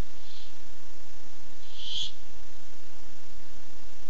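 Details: Barn owl looking for food, recorded 8-7-15: one faint hiss followed by a louder harsh, breathy screech around the middle, then quiet background hum.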